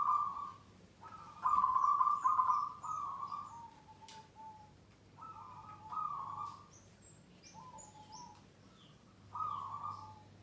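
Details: A captive wild-caught zebra dove gives soft, purring, trilled coos in short phrases of about a second with pauses, the "rajin bunyi" second stage of its four song levels, with faint high chirps of other birds and a low hum.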